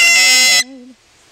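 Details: Yellow-collared macaw kept as a pet, aged five, singing with its owner: a loud, shrill held squawk for half a second, then a woman's sung note fades out into quiet.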